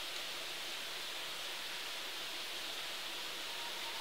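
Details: Even, steady rush of stream-like noise throughout, without any bird call standing out.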